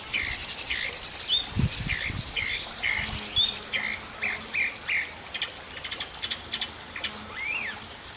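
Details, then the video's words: Sabiá-do-campo, the chalk-browed mockingbird of Brazil, delivering repeated squawky, husky notes in a steady series, later softer chirps, with a few low thumps and background hiss. "O canto do sabia-do- campo"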